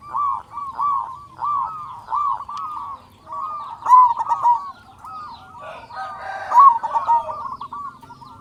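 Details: A strong-voiced local zebra dove, played as a lure to trigger quiet doves to sing, repeats short rippling coo notes in quick series, building into a longer bubbling trill, with another faint bird note near the end.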